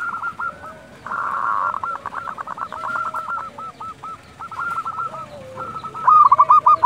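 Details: Zebra dove of local stock calling at dusk, used to provoke other doves: quick trills of short cooing notes that rise and fall, from several birds at once, then one louder rapid series at the end.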